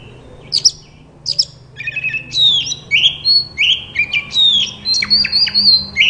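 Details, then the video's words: White-rumped shama singing as a therapy recording to get other shamas singing: a few sharp chirps, then a lively run of varied whistled and slurred notes, loud and continuous toward the end. "Burung kacer terapi dari tidak bunyi langsung saut dengan suara ini dijamin gacor"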